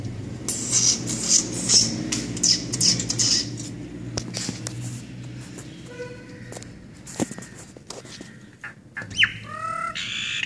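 Brahminy starling giving a rapid series of harsh, scratchy high notes, then a few clearer rising chirps, over a steady low hum.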